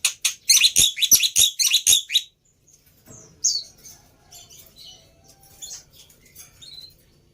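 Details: Black-winged myna lure song to coax a silent bird into song: a fast volley of loud rasping notes for two seconds, then quiet, thin high whistles and chips trailing off.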